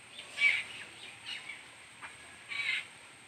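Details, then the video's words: Begging from a baby bird during feeding by its mother: three brief, hoarse, hissing calls spaced about a second apart against a steady background hiss. "Bird mom feeding his baby"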